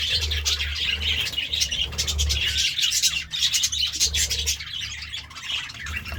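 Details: Budgerigar in the morning giving fast, uneven chirps and warbling chatter, about two or three notes a second, with a brief dip near the middle and a droning low hum behind.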